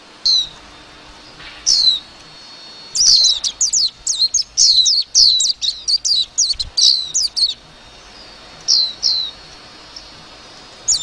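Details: Warbling white-eye singing a lively twittering song: scattered high, thin downslurred notes, then a dense three-to-four-second burst of rapid chirps before sparser single notes return.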